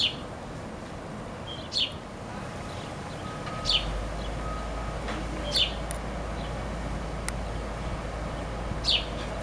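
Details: Young sparrow calling for its mother with bright, high chirps that sweep downward, spaced roughly two seconds apart, against a constant low rumble like distant traffic.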